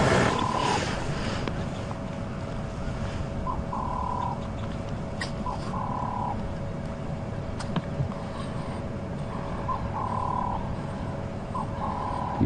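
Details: Doves coo softly in short hollow phrases a few seconds apart at sunrise in October, half buried under a chilly, very cold wind rumble, in sheltered drainage-line bush on a South African safari drive.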